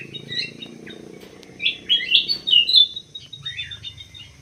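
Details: Greater green leafbird kept in an aviary, giving a jumbled burst of quick chirps and warbled twittering notes, loudest in the middle, over a low background hum.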